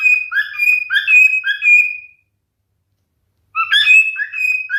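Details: Pet male cockatiel singing two whistled phrases, the first a lively run of rising and falling notes ending in a long sustained whistle, then a pause before the next phrase begins.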